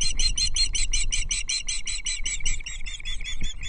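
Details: At Loch Arkaig, Osprey nestlings fight over a trout delivery on 13 June 2024. There is a dense, unbroken train of high, slightly buzzy chirps, around four per second, with low background rumble.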